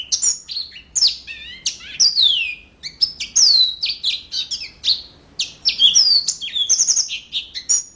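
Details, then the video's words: Steady high-pitched song of a yellow-fronted canary, with bright downslurred whistles, quick chirps and sweet slurred notes packed into energetic, varied phrases. "Mozambik Gacor Full"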